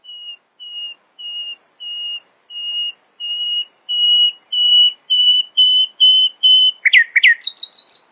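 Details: Nightingale at dawn delivering a crescendo: about a dozen pure, level whistles repeated roughly every half second, growing louder, then breaking into swooping notes and a fast high ticking flourish.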